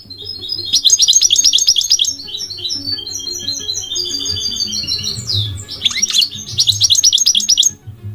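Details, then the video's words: Migratory goldfinch delivering rapid high trilled bursts linked by thin, clear whistled notes and a sharp downward slur, over a faint low background hum. "The elegant migratory goldfinch sings the most beautiful singing"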